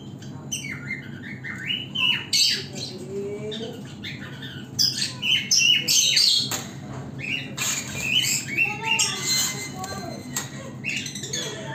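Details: Young green opaline lovebird in an aviary, calling in rapid bursts of harsh squawks and scratchy chirps, several calls a second with short pauses between bursts, against a steady low hum.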